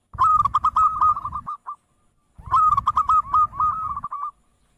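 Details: Zebra dove, a local perkutut, giving two loud phrases about a second apart. Each is a fast rolling series of mellow coos ending in a few spaced notes, with a low rumbling noise beneath.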